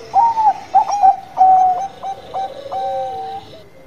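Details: Zebra dove of the Bangkok type in lively song: loud, ringing, rolling coos open, followed by a spaced series of shorter clipped notes. The song ends in a drawn-out tone that slides down in pitch.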